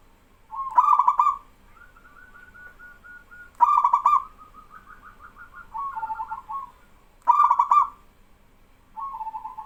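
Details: Singing local male zebra dove sets off answering doves. Three loud, rattling trilled coos come at steady intervals, with softer wavering coos from the other birds filling the gaps between them.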